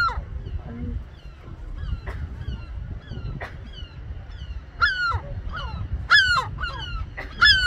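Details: European herring gull calling from a sea wall at Lynmouth, Devon, gives loud, nasal, downward-slurred yelping calls in irregular bursts, louder toward the end, over a steady low rumble of wind or surf.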